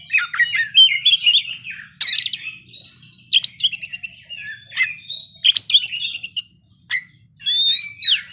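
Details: Oriental magpie-robin, called kacer, singing vigorously with isian: rapid chattering trills, a buzzy burst, clear whistled notes and a long steady tone near the end, with a quiet low hum present.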